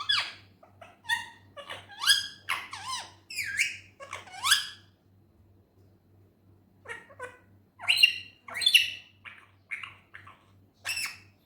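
An Indian ringneck parrot chatters in quick, bright, speech-like bursts that come in two runs with a pause between them, over a faint low hum.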